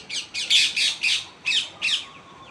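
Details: Pet parrot described as a talking tree parrot, giving a rapid series of seven harsh, squawky calls about a third of a second apart, bright and high, with no clear words heard; quiet room background.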